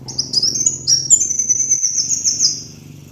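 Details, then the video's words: A kolibri wulung sunbird sings a master lure song: short sharp rising chips lead into a long, very high buzzing trill that wavers slightly, over a low background hum. "MASTERAN PIKAT BURUNG KOLIBRI WULUNG"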